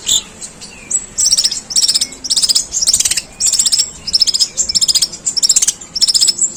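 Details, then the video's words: Sparrow-imitating song of a long-tailed shrike, long and rough: clustered bursts of very high, buzzy chattering notes in irregular groups, separated by short gaps. "Suara pentet tembakan gerejaan panjang dan kasar"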